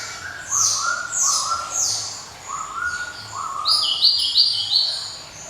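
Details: Java sparrow, known locally as glatik, delivering a ringing, clinking song: short slurred notes about three per second, low bell-like notes alternating with bright high ones, the high phrases growing louder and faster near the end.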